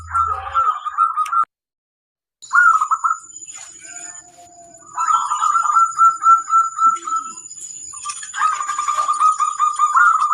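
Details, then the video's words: Local wild-type zebra dove singing as a master song for training other birds: repeated bursts of rolling, mid-pitched cooing notes with short gaps, alongside a steady high electrical whine and scattered faint chirps. "Suara sang masteran burung perkutut lokal alam ampuh untuk masteran"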